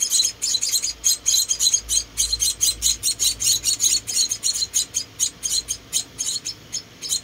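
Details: Four rescued munia chicks being hand-fed, giving rapid high-pitched chirping begging calls in a dense, steady stream, several birds calling at once.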